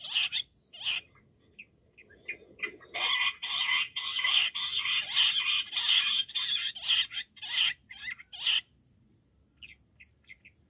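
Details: Wild quail, July 2024 hunting recording: loud, harsh, scratchy bursts of notes, first spaced, then a dense rapid run lasting several seconds before breaking off into a few scattered notes near the end.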